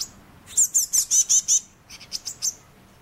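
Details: Five Eurasian blue tit fledglings that fell out of their nest, 31 May 2012: a run of six loud, very high, thin chirps about five per second, then four softer, shorter chirps.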